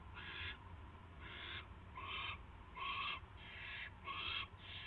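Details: Owl at a rat delivery on the evening of March 2, 2016, 7:05 PM, giving a quick run of seven raspy, hissing screeches close together, some with a tonal edge, against a low background hum.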